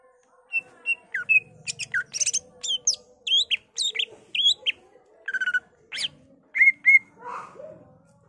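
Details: Greater green leafbird in full, excited song, its repertoire packed with imitated phrases of murai, poksay, cililin, kapas tembak and kenari; loud varied whistles, slurred up- and down-sweeps, sharp chips and brief buzzy notes in quick succession, clear and close.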